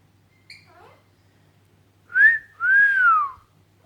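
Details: Pet Alexandrine parakeet indoors, whistling while chatting with its owner: a soft short note, then two clear, loud, pure whistles, the first rising and the second a long arching slur that falls away, in a quiet room.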